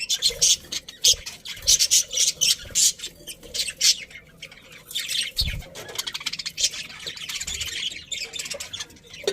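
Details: Happy budgerigars in a colony chatter continuously, a busy wash of high chirps and rapid warbling notes in bursts, with a soft thump near the middle and wing-flutter-like rustles.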